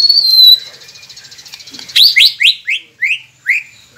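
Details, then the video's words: White-rumped shama song meant to encourage quiet captive birds to sing: a long high steady whistle, then a series of six loud descending slurred notes spaced about a third of a second apart. "Murai Pendiam Cepet Buka Suara dengan masteran ini | shama bird"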